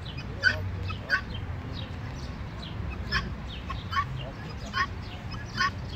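Guineafowl giving harsh, grating calls, about seven short bursts in six seconds at an uneven pace, over a steady low rumble.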